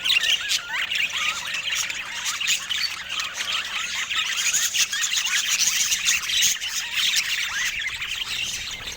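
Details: Budgerigars, a rare variety, kept in Scandinavian daylight with no music or talk, pour out a busy stream of rising and falling chirps and warbled notes from several overlapping voices.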